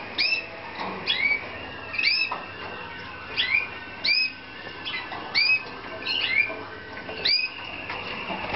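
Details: Slavujar canary, a Romanian song canary kept at a breeding aviary, recorded in 2014: repeated upslurred whistled notes and short chirps in bursts about every second, with steady low hum and soft indoor background noise.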